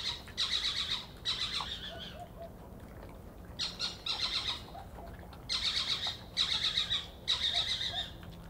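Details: Likely a juvenile Little Owl at night on 25 June 2013 gives harsh, hissing screeches of about half a second each, in bursts of two or three. Badgers eating nearby stopped to listen.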